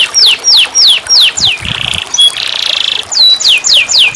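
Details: Canary singing, played to coax a mute caged canary back into song: loud descending whistled sweeps repeated twice a second, a buzzy rattling phrase and a flat tone, then more falling whistles.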